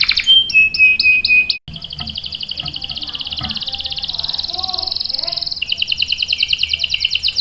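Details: Canary in lively song, used by keepers to prompt and tutor young birds: a pure whistled note, then a long fast buzzy roll of rapid repeated notes, ending in a trill of quick chirps.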